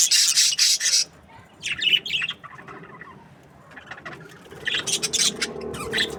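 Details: Budgerigars from breeding pairs give bursts of bright, high chirps and twitters, separated by quieter pauses with softer chatter, ending in more scattered chirps.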